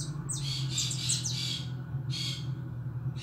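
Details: Pet European goldfinch kept in a cage, giving a quick run of bright twittering and buzzy chirps, then a brief pause and another burst, with a constant low hum beneath.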